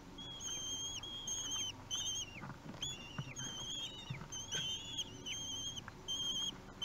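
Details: Common kestrel nestlings, three weeks old, begging during a meal at a Théding nest, 8 June 2021; continuous high wavering squeals, some overlapping from several chicks, amid light rustling and scuffling.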